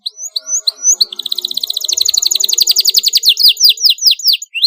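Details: Canary singing continuously with sharp rolls to stimulate young canaries. A few spaced whistled notes lead into a long, even, fast trill, then rising slurred notes, over a faint low background murmur.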